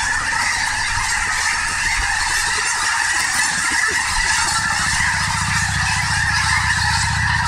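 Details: Snow geese at Snohomish, a large flock giving a dense, continuous chorus of overlapping nasal honks, with a steady broad hiss above and low rumbling noise underneath throughout.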